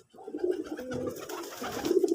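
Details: Deshi pigeon, called Putul Golla, giving soft low rolling coos in a small indoor space, one drawn-out throaty coo running into another, with light background rustle.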